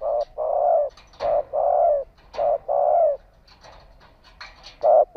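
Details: Spotted dove kept as a ground decoy, calling to lure and provoke wild doves: low, hollow coos in a short-then-long pattern, repeated three times within five seconds and ending on another short note, with faint clicks between phrases.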